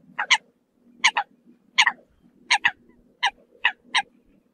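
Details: A Eurasian coot calls the flock with doubled clipped notes, repeated roughly every second, over a low steady background hum.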